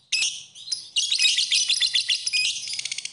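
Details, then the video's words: Lovebird chattering song used for tutoring: a sharp chirp opens, a short gap, then a rapid jumble of high twittering notes ending in a fast run of clipped ticks. "Kicauan Burung, Love Bird, Masteran Love Bird"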